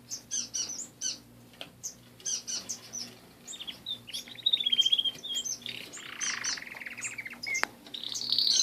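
Canaries sing a fast, varied stream of high chirps, trills and whistled notes, rising into a bright rolling trill near the end; a low hum sits beneath.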